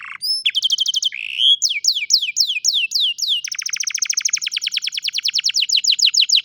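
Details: Canary song recorded by cellphone: a short rising whistle, a rapid trill, downward-swooping whistled notes, then a long, very fast rattling trill of sharp high pulses that runs to the end.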